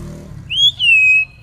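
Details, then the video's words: Pet common hill myna from Bangladesh, prompted to talk, answers with a loud clear whistle: a short rising note, then a longer level note that droops slightly. Low murmur of voices underneath. "Common Hill Myna Speak"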